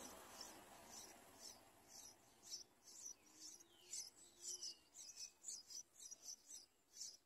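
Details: Yellow bulbul at the nest while a parent brings food to feed the babies; thin, high-pitched chirps repeat in quick, fairly steady bursts about twice a second, with a soft low hum beneath.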